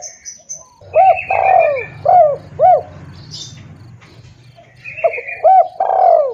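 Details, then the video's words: Spotted dove lure recording used by bird catchers: a repeated phrase of short rounded coos followed by one longer, falling, drawn-out coo, heard twice, with faint high chirps from another bird and a low background rumble. "suara pikat tekukur|SUARA BURUNG TEKUKUR"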